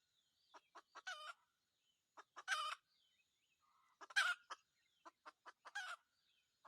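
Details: Red junglefowl crowing in a decoy trapping setting: clicks build into short, ringing, harmonic crows, four in all, with quiet wavering notes between them.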